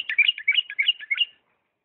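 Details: A bulbul from Diyala delivers a continuous run of liquid, bubbling whistles in a refined song style, four or five rolling note groups repeated evenly over about one and a half seconds, clean background.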